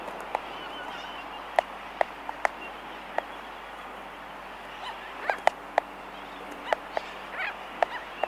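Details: Laysan albatross in a colony, heard close up: sharp, dry clicks in irregular bursts, some single and some in quick pairs or clusters, over a steady soft background hiss.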